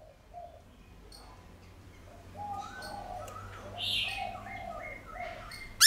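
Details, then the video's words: A Black-throated Laughingthrush sings a wild-style song of clear, long drawn-out whistles stepping upward in pitch, ending in a brighter, louder phrase, with faint chirps behind; it is played to stimulate captive laughingthrushes to sing. "Khướu Bạc Má Hót Giọng Chuẩn Rừng Ngân Dài Cực Hay"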